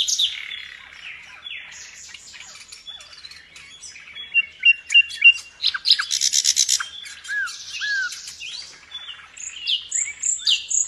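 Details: Nightingale from Indonesia's songbird-keeping scene, used as a master singer for pet birds, in full 'gacor' song: varied rapid phrases of clicks, buzzy bursts and sweeping whistles, with loud choppy notes through the middle.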